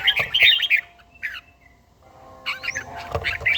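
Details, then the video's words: An older red-whiskered bulbul practising morning song, Gia Lai; bursts of rapid, chattering whistled notes come in two groups separated by a quiet gap of about a second, with a faint humming background. "chàomào HÓT SÁNG, LUYỆN CHIM HÓT HẰNG NGÀY"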